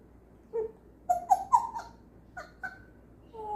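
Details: Pet African grey parrot copying a laugh it picked up, sometimes laughing for two hours: a run of short, rising tonal hoots like chuckles, clustered quickly then spaced apart, indoors with quiet background.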